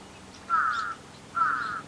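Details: Little Egret in the wild, fighting, giving two drawn-out, gravelly, level croaks of about half a second each, separated by a short pause, with a low roaring quality.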